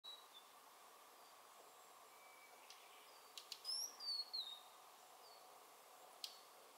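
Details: Male blue-and-white flycatcher giving alarm calls on a mountain walk, alarmed by a nearby male narcissus flycatcher and the watching camera: a few short, sharp, high notes, some dropping in pitch, over steady hiss.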